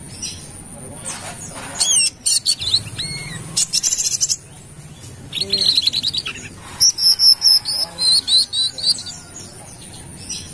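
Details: Brown-throated sunbird of Kalimantan singing wiceh song as a bird lure: scattered sharp chirps and zigzag notes, then long runs of rapid high whistled tweets in clear repeated bursts.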